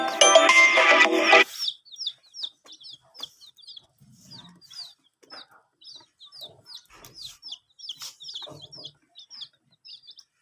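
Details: Chickens: chicks drinking water peep in quick, high, down-slurred chirps, about three or four a second, after a brief loud burst of music at the start.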